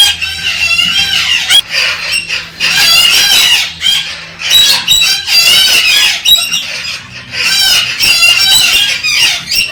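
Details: Galah cockatoo calling to stimulate a female to mate: loud, harsh, rasping screeches in long wavering bursts, with brief gaps between, plus a faint low hum beneath.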